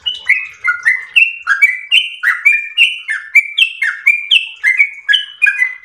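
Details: Yellow-vented bulbul in long ropel song, stepping through paired whistles that alternate higher and lower pitches in a quick, bubbling sequence of roughly fourteen phrases.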